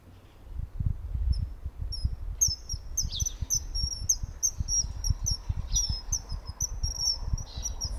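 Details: Common kingfisher on the Nogawa river in Setagaya, Tokyo, calling on a March 2026 morning: a rapid run of shrill, piercing high whistles, some sliding down, repeated several times a second, with low rumbling noise beneath.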